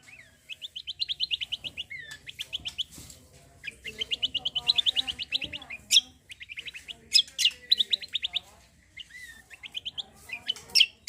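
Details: Cucak kombo in full song, played to prompt other birds to sing: repeated fast rattling trills of bright high notes, dense sharp chirps, with faint lower murmuring behind.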